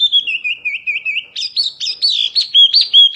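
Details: Whistled warbling from a mini wambi Oriental white-eye, meant as tutor song: wavering tones gliding up and down, then a brighter flurry of quick chirps.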